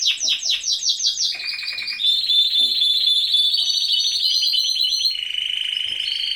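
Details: Canary song from a breeding-season aviary: quick repeated downward notes give way to long sustained whistled rolls and a steady trill, ending on a lower rolling tour.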